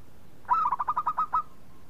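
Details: Local Indonesian zebra dove, a lively singer, used as a lure to make other doves sing: one quick burst of about eight throaty, bubbling coo notes in under a second, over quiet background.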